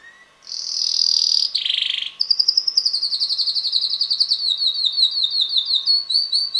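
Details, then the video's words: Red male canary about six months old, kept as a pet, singing: a long buzzy trill, then a lower rolling burst, then a rapid run of sweet repeated notes about eight per second, with a faint steady hum beneath. "red canary bird singing - roter singender Kanarienvogel"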